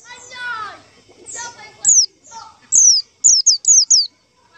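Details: White-eye lure call: softer warbled, chattering notes at first, then thin high whistles sliding downward, ending in a fast series of four closely spaced falling notes; little background noise.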